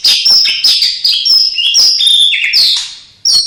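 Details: Murai batu, the white-rumped shama, delivers a loud varied song stuffed with borrowed phrases of cililin, sparrow, lovebird and canary: rich ringing whistles, quick slurred notes and chatter flowing without pause, a brief lull, then a sudden fresh burst.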